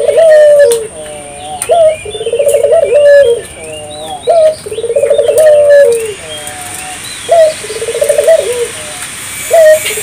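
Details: Spotted dove singing strongly to stimulate local doves to sing: a short sharp rising coo, then a rolling pulsed trill ending in a long level coo that drops away, phrases repeated every two to three seconds over a steady high hiss.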